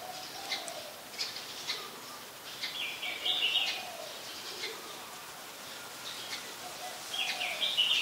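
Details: Brown-throated sunbird recorded in Ubon Ratchathani, Thailand, on 15 January 2021: short high twittered bursts recur every few seconds among soft chirps, with a lower faint call and constant ambient hiss.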